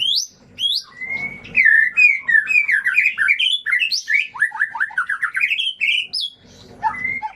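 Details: Lure song of a white-rumped shama, meant to stir silent or off-form birds into singing: high sweeping whistles open into a long continuous run of bright, rapid warbled notes rising and falling, then a final upslurred whistle.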